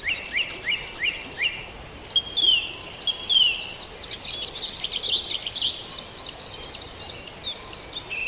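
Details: Farndale dawn chorus opening with a steady series of short high notes about twice a second, then slurred whistles and a swelling mix of overlapping trills and chirps from many birds over soft hiss.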